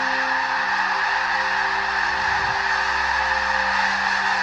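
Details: Tens of thousands of snow geese arriving on Southern Alberta prairie ponds in Canada in spring, stopping to feed and rest before flying on to Arctic nesting grounds; a dense, unbroken roar of overlapping honking calls, steady throughout, with a faint low hum beneath.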